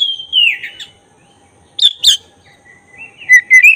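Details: Black-breasted oriental magpie-robin song played to excite birds into spreading their tails; a falling whistle, a pause, two sharp harsh notes, then a thin steady whistle rising into quick bright notes.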